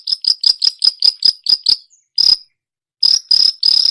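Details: A mimicking long-tailed shrike gives a fast, even series of sharp, high, clicking chirps, like a cricket, then several longer, harsher, buzzy notes after a brief silence.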